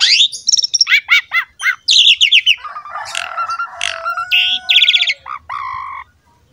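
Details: Asian pied starling song for coaxing young birds: descending stacked chirps, buzzy rattles, steady drawn tones and squeaky bursts in a dense varied sequence.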